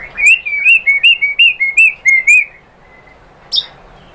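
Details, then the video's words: White-rumped shama song played to coax a bird into singing: a fast string of bright, evenly spaced whistled notes, followed by quiet and one sharp high chip. "PANCINGAN AMPUH ‼️ MURAI BATU JADI NYAUT GACOR BONGKAR MATERI ISIAN ¦ PANCINGAN MURAI ¦ SHAMA BIRD"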